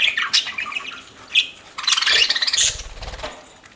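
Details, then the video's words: Pet parakeet feeding, with choppy chirps and raspy squawks leading into a loud buzzy chattering burst, then fading to soft rustles. "PARAKEET EATING SOUNDS"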